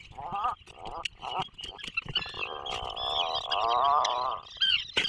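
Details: Atlantic puffin at its breeding burrow off the Maine coast: a buzzy, pulsing, rattling groan sustained for several seconds after shorter bursts, with a steady high-pitched background hiss and clicks.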